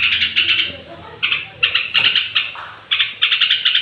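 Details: Straw-headed bulbul singing before bedtime to incite other bulbuls: choppy bursts of quick, bright notes with uneven gaps, a lull around the one-second mark, then renewed chattering.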